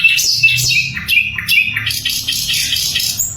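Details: Sikatan londo flycatcher singing constantly, loud and very clear, a training recording for magpie robins and other songbirds; rapid high chirps and short twittering phrases with quick downslurred notes, with a faint low hum underneath.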